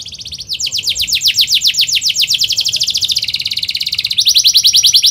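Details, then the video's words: Atlantic canary singing fast, dense, emotional 'cuit cuit' rolling song used to prompt young canaries learning to sing: rapid trill of down-slurred notes about three per second, switching to a buzzy steady roll, then a higher rattling trill. "KENARI GACOR SPEED RAPAT EMOSI CUIT CUIT NGEROLL AMPUH UNTUK PANCINGAN KENARI PAUD BELAJAR BUNYI"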